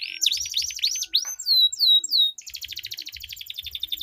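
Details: Canary duel, long rolling song used to get silent canaries singing; quick rising-and-falling sweeps, then three loud drawn-out slurred whistles, followed by a fast buzzy rattle.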